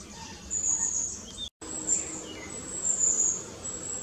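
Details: Juvenile long-tailed tit recently out of the nest, busily feeding between trees; long, thin, very high hissing notes in several drawn-out phrases, interrupted by a brief gap of silence.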